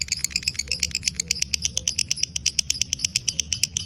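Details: Rapid series of sharp, high clicking chatter notes from a fighter lovebird in breeding condition, steady and fast, set against low background rumble.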